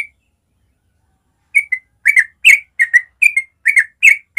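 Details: Morning ropel song of a yellow-vented bulbul, natural tutor sound for young birds: after a brief note and a silent gap, a tumbling stream of bubbly whistled notes follows at a rapid pace.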